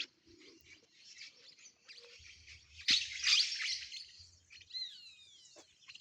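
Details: A hungry flock of small parrots near coastal farmland, seeking a nearby cornfield, chatters harshly and noisily, peaking in a loud screeching burst midway, with thin descending whistles near the end and a low rumble beneath.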